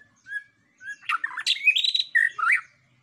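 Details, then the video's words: White-rumped shama song played as a lure to provoke other birds: two soft whistled notes, then a burst of loud, varied, rapid chattering and warbled phrases with rising and falling whistles. "Pancingan bunyi Murai batu!!"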